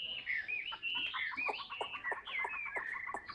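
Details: Caged Chinese hwamei singing while held in the hand: a run of clear whistled notes, some sliding and some slurred, with sharp clicking sounds and background noise scattered through the phrase.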